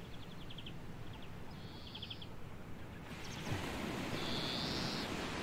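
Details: European greenfinch (Chloris chloris) perched on hawthorn in a dune area gives short twittering notes and a drawn-out wheezy buzz, twice over, against steady wind or surf rumble.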